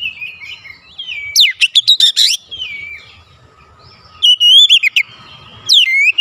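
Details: Oriental magpie-robin singing to goad other magpie-robins: a short whistled phrase, a fast run of sharp clicking notes, a quiet gap, then more piercing whistles and rapid chips.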